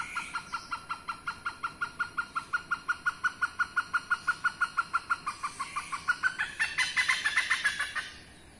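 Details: Rare protected hornbill in Indonesia, calling behind a house: a long burst of quick, evenly spaced barking notes that speeds up and grows harsher and louder near the end before fading, with soft background hiss.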